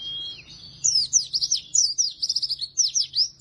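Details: Oriental white-eye (pleci) in vigorous song, used as a lure and tutor for white-eyes reluctant to sing: a thin steady whistle, then rapid high twittering of sweeping, slurred notes in quick bursts, bright and continuous.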